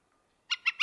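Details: Northern flicker in Wisconsin giving three quick, harsh, nasal notes in a fast series, each about a sixth of a second apart, with nothing else heard.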